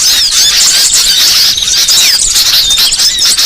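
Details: Lure for catching small birds like iora, konin and sogon: a dense chorus of high squeaks and thin whistles, with one clear falling whistle in the middle and constant chattering behind it.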